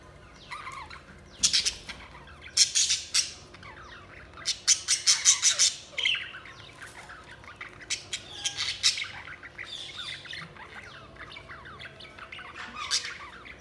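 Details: Budgerigars chatter constantly, with bursts of harsh, sharp squawks in quick clusters between stretches of softer warbling chirps and trills.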